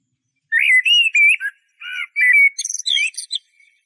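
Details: Eurasian blackbird delivering a mellow warbled phrase of fluted notes that ends in a twittering, higher squeaky flourish; background silent.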